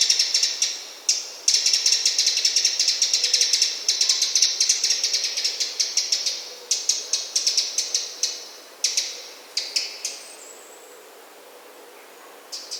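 Eurasian wren giving dry, ticking and rattling calls, rapid clicks bunched in bursts of varying pace, high-pitched and harsh.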